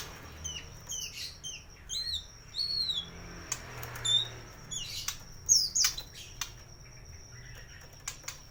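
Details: Caged white-rumped shama at a bird shop in Koja, North Jakarta, singing a full varied song used to coax silent birds into song: clear high whistled and slurred notes, some rising and falling, over a faint steady hum and clicking noises.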